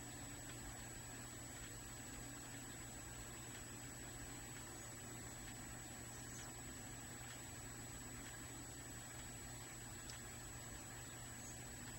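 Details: A steady low hum like an idling engine or appliance drone, with a faint high whine and no animal calls.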